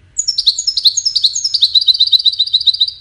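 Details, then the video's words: A goldfinch sings for courtship and communication: liquid, high-pitched twitters, then a rapid, steady series of short repeated chips, roughly two to three notes per second, clear against a quiet background. "Witness the Majestic Goldfinch Singing"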